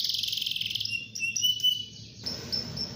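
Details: Short burst of canary song used to stir rivals, a fast rattling trill giving way to thin level whistles and a high steady tone.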